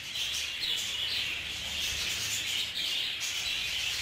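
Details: Aviary of group-kept budgerigars in a scuffle; loud steady chattering from many birds, with repeated sharp chirps and warbled phrases standing out above the dense background.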